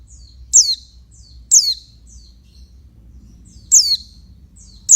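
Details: Female oriental white-eye calling to stimulate males: four shrill, high notes each plunging downward, most preceded by a faint short lead-in note, spaced about one to two seconds apart over low background noise.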